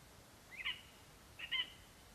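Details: A lesser spotted eagle male, arriving at the nest with a vole on 11 September 2021, calls for his mate with two sharp, high, slightly downslurred yelps close together, with a faint hiss behind.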